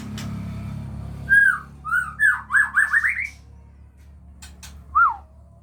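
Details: Aceh White-rumped shama in a captive breeding setting with young learning to fly. A run of rising whistled notes speeds up into a quick string, then one lone slurred whistle follows, over a steady low indoor hum.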